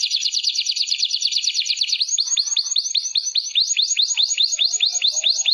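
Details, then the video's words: Canary (kenari) song prepared as a masteran tutor recording for training contest birds, with rich "isian" phrases. A fast, loud, buzzy trill of rapid repeated notes gives way to bright descending swooping notes, about four per second. "MASTERAN CANary Isian MEWAH"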